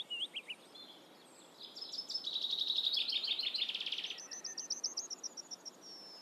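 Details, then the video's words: Eurasian reed warbler song, a scratchy churr of fast, evenly repeated notes held for about two seconds, then a string of short, clipped high notes in quick succession, with light background hiss. "Teichrohrsänger - Rousserolle effarvatte - Eurasian Reed Warbler"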